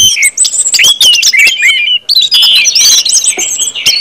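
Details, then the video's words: Continuous full-voiced ngeplong song of an Orange-headed thrush, used to get other birds singing: tumbling high whistles and chattering notes pouring almost nonstop, with one short break near the middle. "KUMPULAN ANIS MERAH NGEPLONG BIKIN CEPAT BUNYI DAN GACOR ANIS MERAH"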